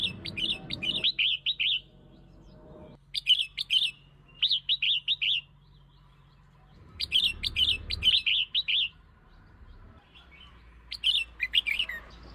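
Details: Red-whiskered bulbul song used to lure and provoke other birds: bursts of four to six rich, warbled notes with sharp upper edges, repeated in phrases every few seconds, separated by quiet gaps with faint low hum.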